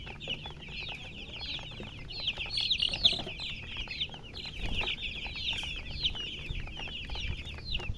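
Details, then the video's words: Continuous shrill chirping from colour chickens, a crowded run of quick downward squeaks that swells briefly louder near the middle. "silly chicken chirping sounds with murgi hen color chicken"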